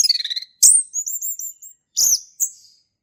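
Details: Male orange-headed thrush in the wild, singing: a fast warbled opening, then high thin drawn-out whistles with sharp scratchy notes between them.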